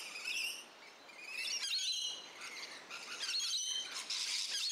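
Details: Rainbow lorikeets in a garden and neighbourhood on the Central Coast of New South Wales, Australia: shrill, screechy high chattering calls overlapping in bursts, with several birds calling at once.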